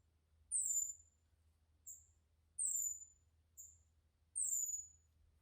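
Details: A captive male green-backed twinspot of the West African subspecies, newly arrived, gives its high-volume call, mainly triggered by squirrels seen out the window: thin, very high, downslurred notes, loud and soft in turn, about one a second, over a low indoor hum.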